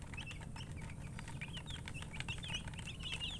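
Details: Chickens giving scattered high, thin chirps, short slurred peeps spaced irregularly, partly masked by a strong low rumbling hum.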